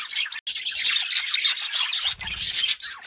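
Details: Budgerigar song: rapid, high, scratchy chattering and chirping after a brief silent break, with a low buzzy rattle near the end.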